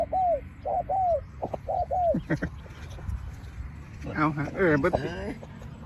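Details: Decoy spotted dove luring wild doves with pak khruen calling. Four or five soft, arched coo notes are followed by a man talking over faint background noise.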